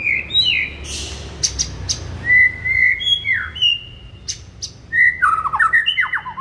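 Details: White-rumped shama singing in the morning, used to rouse a kept shama: sparse drawn-out whistles and short chirps with pauses. A fast string of slurred notes comes near the end, over faint background noise.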